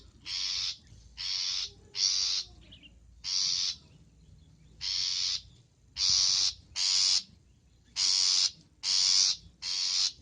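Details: Long-tailed shrike in a training recording full of varied song content: a run of eleven harsh, rasping screeches in irregular pairs and triplets, each short and loud.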